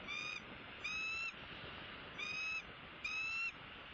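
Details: Territorial male bald eagle at a Southwest Florida nest, January 2016, chasing off a raptor; four high, piping whistled notes with faint rising pitch, each under half a second, evenly spaced over four seconds.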